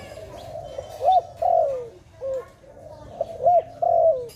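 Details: Dove recorded during bird trapping, giving mid-pitched coos: short hooked notes alternating with longer wavering, slightly falling coos, about six notes in four seconds with brief pauses, over faint background hiss.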